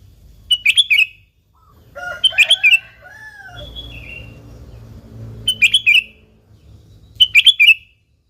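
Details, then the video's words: A lively sooty-headed bulbul, used as a lure to make bulbuls sing, gives four bursts of bubbling notes with gaps of a second or more. Lower whistles from another bird and a soft rumbling background fill the gaps. "Suara Burung Kutilang Gacor ASLI Tanpa isian,Ampuh tuk pancingan Kutilang bikin kutilang Ribut gacor"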